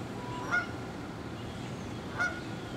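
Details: Canada geese heading out at sunrise along the Saint Johns River, Jacksonville, Florida, October 13, 2015, 7:33am; two distant honks about one and a half seconds apart over constant low background noise.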